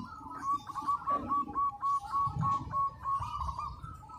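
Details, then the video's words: Local zebra dove in full song, used as a master recording for training: a steady run of short cooing notes repeated rapidly, level in pitch, with a soft low rumble and faint room noise underneath. "Perkutut Lokal Gacor, Masteran Anti Gagal"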